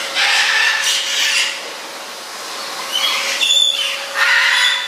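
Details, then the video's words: A female Goffin's cockatoo, excited by a running vacuum cleaner, gives harsh raspy screeches in three bursts over its steady mechanical hum while fluffing, flapping and hanging like a bat; she reacts the same way to a hairdryer. "Cockatoo excited by vacuum"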